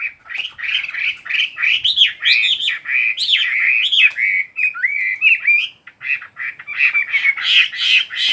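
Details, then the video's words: Energetic chattering bird song, a fast jumble of chirps, trills and slurred whistles, a few notes each second, with one smoother, sweeter whistled phrase near the middle. "Chỉ có nghe chim hót là tâm hồn thanh thản nhất."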